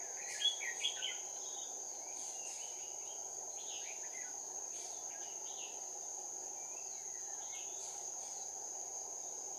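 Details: Red-whiskered bulbul singing as a trapping lure bird, January 16, 2019: a burst of loud, quick warbled phrases at the start, then fainter chirps, all over a constant shrill cricket drone.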